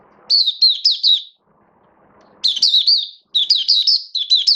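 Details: Caged oriental white-eye in build-up singing form, recorded 19 September 2022: two bursts of rapid, high warbled twittering, each a quick string of bright wavering notes, separated by a short quiet gap with faint low background noise.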